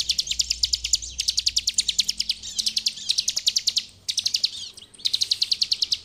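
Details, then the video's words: Bar-winged prinia singing nonstop in full ngebren style as master song for training: long fast trains of high, rattling chips, about eight per second, with only brief breaks between bursts. "Ciblek gacor FULL NGEBREN ampuh untuk masteran ciblek"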